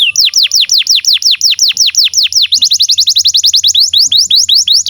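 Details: Vigorous canary song used to train young canaries: regular falling whistled sweeps about four per second, speeding into a denser run of quicker notes, then slowing again, over a faint low hum.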